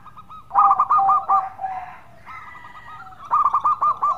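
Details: Melodious local zebra dove in active song, used as a lure recording. Crisp bursts of four or five rapid hooked coos are separated by softer trilling phrases, with a second bird audible faintly behind.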